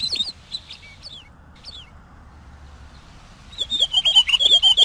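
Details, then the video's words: Pine Grosbeak singing: a few faint, scattered chirps, then a loud, fast run of warbled, twittering notes starting near the end. "Canto del Camachuelo Picogrueso"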